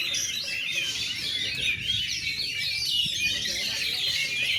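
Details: Debut contest performance of an Oriental magpie-robin, feathers puffed out, singing in shooting and running styles; a steady mass of high, quick whistled notes and twitters.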